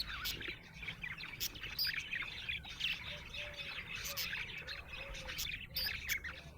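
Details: Budgerigars chirping happily: a jumble of high scratchy twitters and squawks from a flock, with a softer low whistled note repeating in the background and a steady hum.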